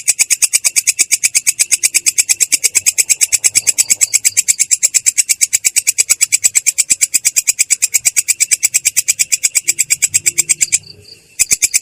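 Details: Long-tailed shrike singing a continuous rolling song with a clear, coarse voice; fast, regular high scratchy notes, near seven per second, stream for about eleven seconds before a brief pause and a restart.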